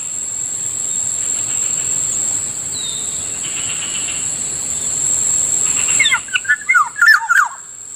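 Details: Morning near a rice field, a black-naped oriole, known locally as Kilyawan, gives a brief series of mellow, slurred whistles near the end after several seconds of hiss, with a constant shrill whine throughout.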